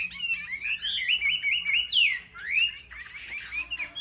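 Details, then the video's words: Caged Chinese hwamei in competitive singing, selected birds: rich whistled phrases sliding up and down, quick slurred notes run together with brief rising sweeps, loud and continuous with short gaps, a faint low hum beneath. "Họa mi hót đấu"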